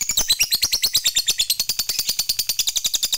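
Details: Rapid ngekek chattering of a fighter lovebird, used as a provoking call for other lovebirds: harsh, high, buzzy notes repeated quickly and evenly throughout.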